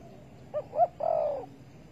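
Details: Single spotted dove phrase recorded during bird trapping with bare bait on 15 August 2020: two quick clipped notes followed by a drawn-out, gently descending coo over steady low background hum.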